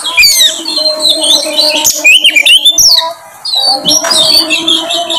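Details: Song of an Oriental magpie-robin meant to provoke a bird into singing: tumbling mix of whistles, squeaky slurs and harsh notes, a brief pause midway, then more varied phrases over a low hum.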